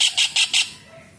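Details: Kingfisher (raja udang), calling vigorously for use as a songbird tutor: four loud, harsh, evenly spaced notes in quick succession, followed by quiet.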